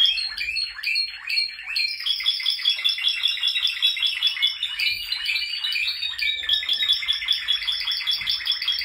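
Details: A group of male Spanish Timbrado canaries singing: repeated sweeping chirps give way to dense fast trills and bubbling rolls, with clear bell-like tones layered on top.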